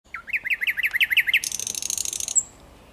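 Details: Thrush nightingale phrase recorded 8 May 2022: about nine quick, rising, whistled notes repeated in a rapid series, then a loud, dry, buzzy rattle ending in one sharp high note.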